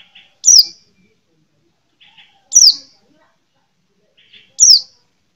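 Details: White-eye, a small yellowish-green songbird popular with songbird keepers. Three sharp, high, downward-slurred chirps come about every two seconds, each preceded by a softer, lower double tick. The background is quiet.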